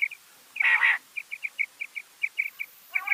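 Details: Rain quail (bedana, batair): one loud rasping burst followed by a steady series of small high chip notes in pairs and a buzzy note at the end.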